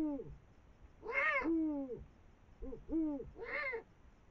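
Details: Eurasian eagle-owls, a female and male, eating a brown rat over the Moselle valley at 5 am on 21 March 2022; low tonal hooting notes alternate with two loud, hoarse, screeching calls in quick succession.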